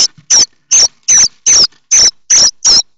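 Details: Nestling common starlings at Théding, France, stand up begging at any sound suggesting a parent arriving with food; strident high rasping calls come in a fast, fairly regular series, roughly three per second.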